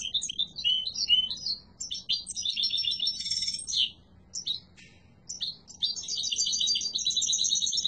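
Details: Varied, strong song of a yellow mutation European goldfinch: quick chirps, buzzy rattles and fluid twittering runs, with a short pause midway before another long twittering stretch.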